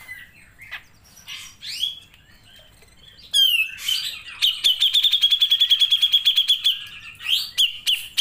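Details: Grey-cheeked bulbul singing energetically as a training recording: scattered upslurred whistles, then a loud, steady trill of quick ringing notes on one high pitch lasting about three seconds, ending in a few rising whistles.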